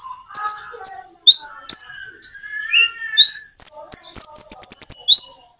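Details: Common iora singing with natural pauses: varied high, slurred chirps and rising whistles, a lower drawn-out whistled phrase midway, then a fast burst of sharp high notes.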